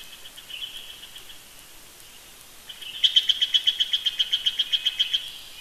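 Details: Bald eagle calling at the Big Bear nest in early morning, live nest camera: after faint whistles, a fast, even run of about fifteen high, piping notes, several per second, steady in pitch over quiet background hiss.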